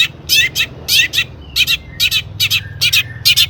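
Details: Harsh doubled chirps from a long-tailed shrike, recorded as a lure to make other shrikes sing, coming in pairs roughly every half second with faint thin whistles behind and a low hum underneath.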